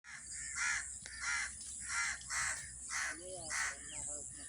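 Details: Several angry crows circling a tree, cawing non-stop to call other crows; harsh, broad caws repeat roughly every half second, with a faint human voice entering near the end.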